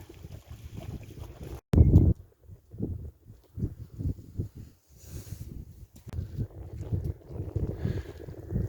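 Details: Outdoors on an estuary shore, with gusty wind rumbling across the microphone, soft irregular thuds and one loud burst of low wind noise near the start.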